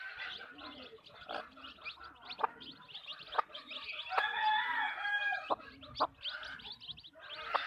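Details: Chickens in a backyard farm cluck in quick, irregular bursts, then one hen lets out a longer, tonal, drawn-out cackle lasting about a second, amid busy high-pitched chirping from other birds.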